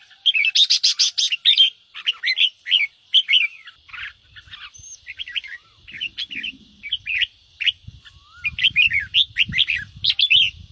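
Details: Ché-style singing of a Red-whiskered bulbul: opens with harsh rapid buzzy pulses, then lively whistled and warbled phrases repeated in clusters, a steady high tone running throughout and soft low thumps later.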